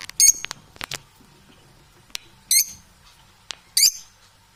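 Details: Parrots making quick, high, squeaky chirps and clicks in irregular bursts, with silences between them.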